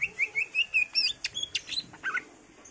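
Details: Greater green leafbird in a lively song rich in fillers, used to prompt other birds to sing: a quick, even string of short whistled notes, then sharper chirps and a buzzy, scratchy burst.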